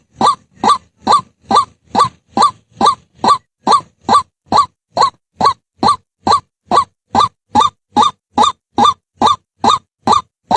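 White-breasted Waterhen giving harsh, nasal croaks repeated steadily about twice a second, loud and monotonous, with no other sounds.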